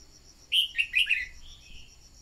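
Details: A caged decoy red-whiskered bulbul used in voice training to stimulate other birds to sing gives one quick phrase of four or five liquid, slurred whistles, then a softer trailing note over a steady thin whine.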